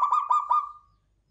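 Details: Brief phrase from a local klowongan zebra dove: four quick, throaty, pulsed coos running into a fading tail.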